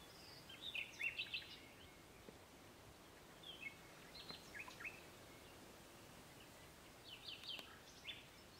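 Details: European bee-eaters at the Soča River mouth nature reserve, Slovenia, on 1 June 2023 give short, rolling, liquid 'prruip' calls in three loose bursts over steady background hiss.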